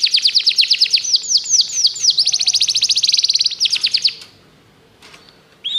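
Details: Canary song used to train canaries: a long series of rapid downslurred whistles and fast buzzy trills for about four seconds, then near silence with faint noise and a final rising note.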